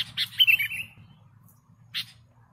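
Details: A sooty-headed bulbul sings lively phrases, a recording for luring birds: a quick burst of bright notes sliding downward, a pause, then one more short note, with a faint low hum behind.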